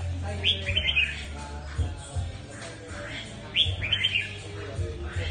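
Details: Mutant red-whiskered bulbul singing well: two bright whistled phrases, rising then tumbling through quick warbled notes, about three seconds apart, over a steady low hum.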